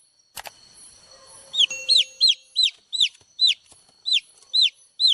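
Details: Cute baby chicks chirping, a brief rustle first, then a fast run of about ten high, falling, arched peeps, fairly evenly spaced, in a quiet setting.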